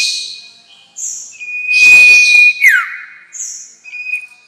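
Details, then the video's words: Lure sound of the sirtu bird for trapping: hissy high chirps, then one long level whistle that drops into a falling slur, followed by softer chirps and a faint restart of the whistle. "Pancingan suara pikat burung sirtu"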